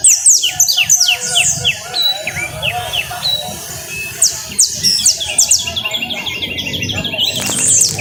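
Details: Canary of the costeño type singing: fast high trills and sweeping notes changing pace, with a busy low background hum throughout.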